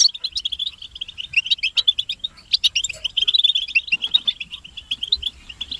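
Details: European goldfinches in a group twittering chorus, presented as mating and readiness calls meant to stimulate a silent male to sing; dense, high, rapid chirps and liquid trills run almost continuously, with sharper peaks above the steady chatter.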